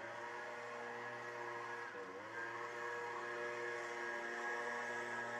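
A steady, low mechanical hum with layered droning tones continues throughout, with no animal calls heard.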